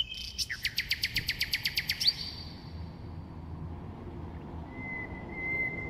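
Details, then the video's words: Common nightingale song phrase: a rapid, steady rattle of around a dozen crisp repeated notes ends abruptly with a flicked high note, followed by quiet and then a single long, pure, level whistle near the end. "Bülbül Ötümü (Nightingale singing)"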